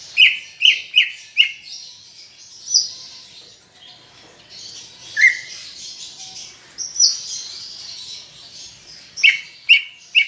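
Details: Greater green leafbird (cucak ijo) in lively song for prompting pet birds: an opening run of four quick rising notes, scattered single whistles through the middle, then a closing run of three, over a faint constant hiss.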